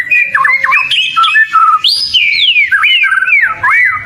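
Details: Kacer, the oriental magpie-robin, delivering loud whistled song phrases as training material: sliding and looping notes, a high rising sweep near the middle, then descending slurred whistles.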